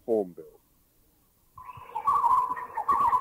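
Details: Oriental Pied Hornbill recorded in a Thai national park (Khao Yai, Doi Inthanon, Doi Suthep-Pui or Chae Son), giving harsh, nasal cackling squawks in a rapid, uneven run, preceded by a brief spoken word from a narrator.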